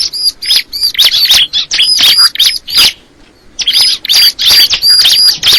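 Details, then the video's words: Crystal ciblek, a bar-winged prinia, singing a rapid run of sharp, high chirps and thin whistled notes in dense bursts, broken by a short pause near the middle before the chattering resumes. "the sound of the crystal ciblek bird"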